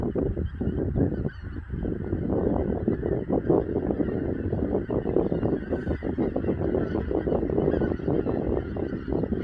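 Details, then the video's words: Large wintering goose flock in Dobrogea, SE Romania, February 2022, smartphone recording; continuous clamour of many honking birds, calls overlapping densely and steadily throughout with no pauses. "Wintering geese in Dobrogea"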